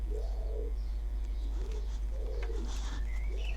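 Pigeons coo softly outdoors, two low hollow phrases a couple of seconds apart, behind a steady low indoor hum with a faint higher chirp near the end.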